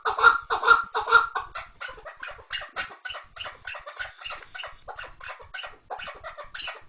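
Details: Kınalı keklik, the chukar partridge, opening with three loud ringing notes, then continuing with quieter rhythmic chuckling calls at roughly two per second.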